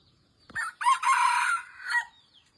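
A red junglefowl gives a single brief, hoarse crow of just over a second, rising then breaking into a clipped final note, preceded by a short knock.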